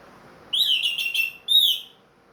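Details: Leg-ringed captive orange-headed thrush, back to frequent singing after moulting, gives a rich warbling phrase of fast whistled notes, then a shorter rising-and-falling whistle, against faint low background hum.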